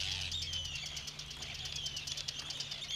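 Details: Arctic tern in Scotland, curious about the camera at close range: harsh, grating, high-pitched calls, about three a second, over a low steady rumble.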